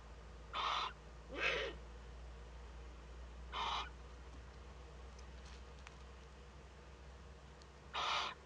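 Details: Nest webcam in northern Rhineland-Palatinate, Germany, 15 May 2013: a young Eurasian eagle-owl in first contact with an adult. Four short, rasping, broadband hisses come at irregular intervals over a faint hum.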